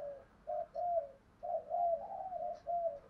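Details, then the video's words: Spotted doves, male and female, in a native-style cooing recording used to train decoy birds; quiet, soft low coos in short broken phrases over a faint background hiss. "cu gáy thúc gù cu gáy giọng thổ, rất chuẩn để tập bổi và gáy gọi"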